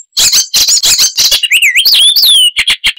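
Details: Icterine warbler voicing its loud, mimicking song: rough buzzy notes give way to sweeping, swooping whistled slurs, then a few short chattering notes.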